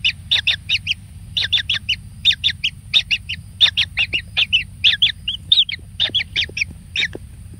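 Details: A single kingfisher chick pampered with much food gives an even series of short, sharp, buzzy chips in twos and threes, repeated steadily and high-pitched.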